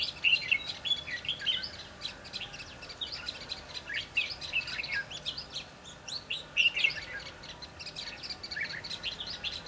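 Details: Red-whiskered bulbuls recorded while trapping wild birds on 22 December 2015. A steady stream of quick whistled phrases and chirps continues, with louder notes standing out every few seconds.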